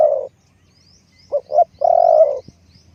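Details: Spotted dove kept as a decoy for luring wild doves, giving a low cooing phrase: one clipped coo, a pause, two short coos, then a long drawn-out coo, with faint high chirps of other birds behind.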